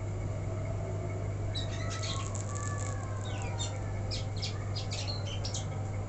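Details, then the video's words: Caged, untrained black-throated canary left without its cage cover, singing freely: scattered high chirps and short twittering phrases from about halfway through, with a steady low hum throughout. "Lupa ga di krodong blackthroat bahan jadi begini"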